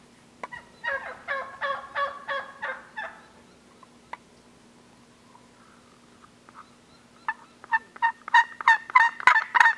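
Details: Wild Gould's turkeys on Mt. Lemmon in the Sky Island mountains of southeastern Arizona, recorded during annual surveys: a burst of rapid, rattling gobbles, a quiet pause with a few soft notes, then a second louder gobbling series.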